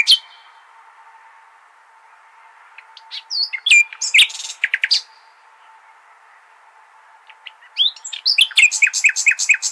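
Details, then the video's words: Al-Hasaniya style nightingale song for teaching goldfinch and hybrid chicks. An opening note and a long pause lead to a dense burst of varied notes, then silence, then a fast ringing run of repeated notes. "اجمل تغاريد العندليب ( الحسنية ) لتلقين فراخ الحسون والهجين"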